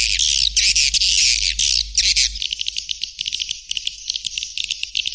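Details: White-nest swiftlet calls: loud, hissy buzzing bursts over a hum. These give way to a quieter run of rapid, evenly spaced high clicking notes.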